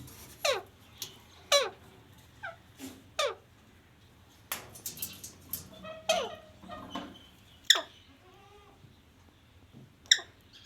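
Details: A pet parrot, said by its owner to talk, utters a run of brief falling squawks and chirps, irregularly spaced, with some warbled, wavering notes and sharp clicks in between.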